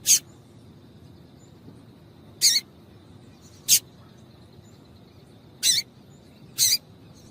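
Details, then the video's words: Female Double-collared Seedeater calling, used to excite male birds into singing: five short, high, sharp chips at irregular intervals over a faint steady high hum. "Piado de Fêmea de Coleiro Chamando Quente Para Esquentar Coleiro tui tui"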